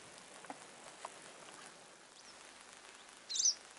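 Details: Western yellow wagtail (Motacilla flava) giving a single high, thin chirp near the end, over a steady background hiss with a couple of faint clicks earlier.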